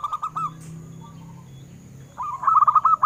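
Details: Local zebra dove song, a perkutut recording meant to get captive doves singing: a brief burst of soft rolling coos, a quiet gap with low background hum, then a brighter rapid trill of short notes at the end.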